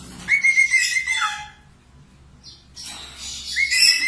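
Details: Budgerigar warble meant for teaching cockatiels: a dense burst of buzzy chatter with a held whistle and a lower sliding note, a near-silent gap with one brief squeak, then the chatter resumes.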